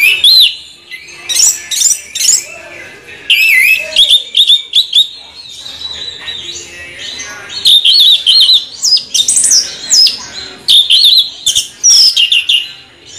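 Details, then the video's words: Orange-headed thrush with a continuous rolling song of warbled whistles and rapid chattering phrases, varied and high, over about thirteen seconds. "Anis merah ngeroll"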